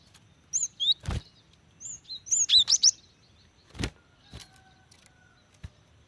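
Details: Female cinereous tit calling for a male, played to trigger song in wild birds; scattered high slurred whistles and a fast cluster of notes, interrupted by several loud low thumps and knocks.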